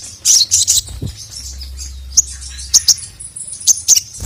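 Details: Sogon, the crimson sunbird, calling the male for training a lazy singer: a few quick high twitters at first, then spaced single sharp chirps.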